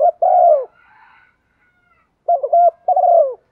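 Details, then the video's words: Spotted dove cooing to provoke wild doves: a long descending hoot, a pause with a faint higher background murmur, then a repeated pair of quick coos and another drawn, falling note. "tieng chim cu gay kich boi nhanh nổi nhất"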